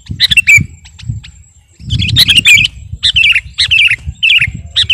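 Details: Song of a sooty-headed bulbul ('kutilang garuda') used to lure or train birds: clipped chirps, a brief lull, then bursts of bubbly rising and falling notes over a low background rumble.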